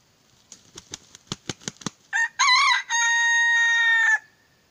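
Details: Molting purebred decoy red junglefowl used for trapping wild junglefowl. About ten sharp, rapid clucks are followed by a loud, harsh crow with a brief break, ending in a long, steady, strained final note.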